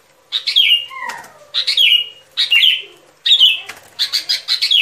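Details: Sooty-headed bulbul heard on a trapping lure track, giving short, emphatic descending phrases about once a second, each a quick bright slur, with a soft lower whistled note after the first phrase.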